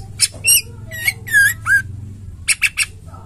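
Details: Female white-rumped shama, caged, singing to stimulate caged males: scattered squawky and whistled notes, some with sharp upswept or down-slurred shapes, in short uneven bursts with gaps between them.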